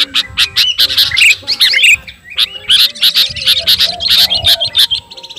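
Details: Sooty-headed bulbul, known locally as kutilang garuda, challenging a rival: two phrases of rapid chirps and twisting whistled notes separated by a short silence, bright and scratchy throughout.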